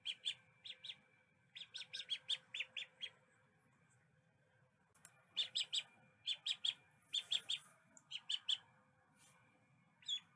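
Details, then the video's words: Duckling quacking: groups of sharp high peeps in quick runs separated by short pauses, with a faint low rumbling background throughout. "little duckling sound effects"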